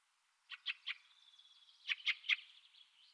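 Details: Fieldfare calling softly at a distance: two bursts of three harsh, chattering notes linked by faint thin sounds.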